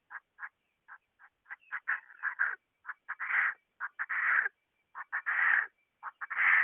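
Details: Female Chinese francolin giving short, harsh clucking notes that build into longer, louder rasping bursts, repeated about once a second. A thin steady tone sounds faintly underneath.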